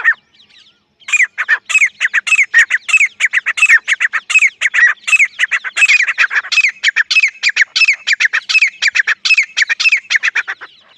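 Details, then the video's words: Partridge known locally as Dakhni teetar, giving a loud, rapid, continuous run of harsh squawking notes, several each second, that starts after a brief quiet opening and keeps going to the end. "Dakhni teetar"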